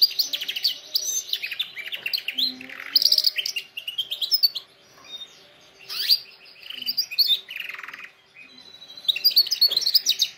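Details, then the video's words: Singing canary recorded to help train canaries, delivering bursts of fast buzzy and whistled phrases separated by short pauses, with a faint low hum underneath. "canary singing best video to training canaries birds"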